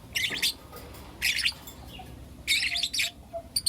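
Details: Four young lutino lovebirds in the morning give a few separate bursts of shrill, rasping chirps, spaced roughly a second apart, with faint softer notes between.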